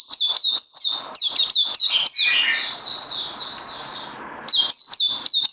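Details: High, sharp twittering notes from a songbird kept for training, recorded 18 May 2020; fast clipped phrases slide into a softer warbling passage, then the loud chatter returns.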